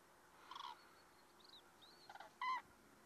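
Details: Resting common cranes at an autumn stopover in the Rehdener Geestmoor, Diepholz moor lowland, Germany, on 5 October 2016, give a few brief, rolling trumpet calls, the last one loudest. Faint high whistles from other birds sound in between.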